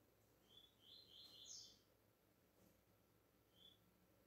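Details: Double-collared seedeater singing the pure tuí tuí style, a deep song used to tutor young and brown-plumaged birds: a quick burst of high, clipped whistled notes, then a pause and one faint note, over steady low hiss.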